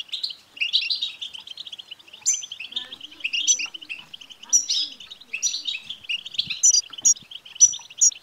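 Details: Continuous European goldfinch song used to encourage a caged male goldfinch to sing, a busy stream of twittering notes punctuated by ringing high tinkles that come more often toward the end.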